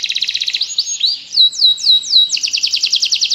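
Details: Canary singing eagerly: fast high pulsed trill, a few looping whistles, a series of clear downslurred whistled notes, then another rapid repeated trill.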